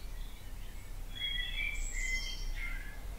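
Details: Back-garden dawn chorus at 4.30am, 9 April 2018, in spring: after a quiet second, a burst of bright whistled and twittering bird notes, some sliding, over steady low background hum.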